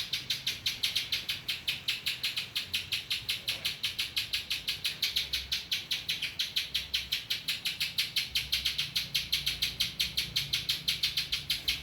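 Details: Spiderhunter song filled with ciblek (prinia) phrases, heard as an unbroken train of bright, sharp, high-pitched notes repeated nearly three times a second for about twelve seconds.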